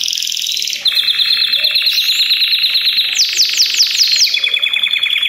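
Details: A chorus of Belgian canaries singing simultaneously to spur other canaries, chiefly youngsters or moulted adults, into song; continuous rolling trills broken by a burst of rapid arched notes and a higher rattling phrase.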